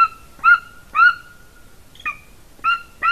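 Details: Golden eagle female on a nest in Latvia, nest camera, winter afternoon of 30 January 2019: loud, clear yelping notes with a sustained whistled tone, repeated roughly twice a second with short pauses.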